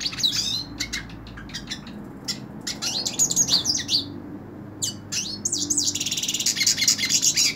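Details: A Hooded siskin sings while held in a hand, mixing sharp high chips, rapid twittering warbles and buzzy sweeps, finishing with a fast, even, high trill of repeated notes.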